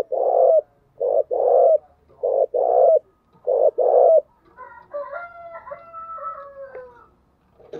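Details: Spotted dove performing the full set of thúc, gù and gáy gọi calls, used as a lure; a run of low paired coos with clear gaps, followed by a drawn-out, gently falling tonal sound with higher overtones.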